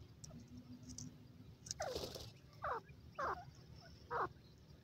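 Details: Female grey francolin in a forest in Pakistan in the early morning: a run of four hoarse, descending squealing notes, roughly one per second, over low rumbling background noise.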